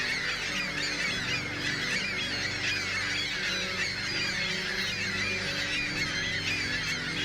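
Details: Migrating ring-billed gulls in a dense, continuous chorus of overlapping shrill, squealing cries, with a steady low droning hum underneath throughout.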